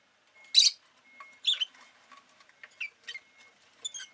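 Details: Rosy-faced lovebird uttering one loud shrill chirp followed by softer, shorter squeaky notes at an irregular pace, with a steady faint high tone running underneath.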